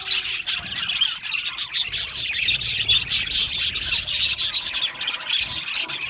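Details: Budgerigar colony, happy birds in an aviary, chirping and warbling together; quick repeated tweets and scratchy chatter overlap in a dense, lively high chorus.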